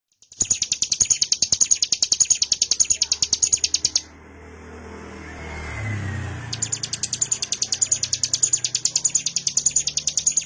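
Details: Mountain prinia (ciblek gunung) singing a 'wave shot' in ngebren style: fast, high, sharp chips run together into a rattling trill of about eight notes a second. The trill breaks off for two seconds under a low passing vehicle rumble, then resumes.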